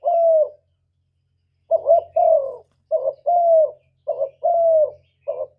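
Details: Spotted dove coo used as a trapping lure and to stir kept birds: a long falling coo, a pause, then repeated pairs of a short coo and a drawn-out falling coo, over a faint low hum.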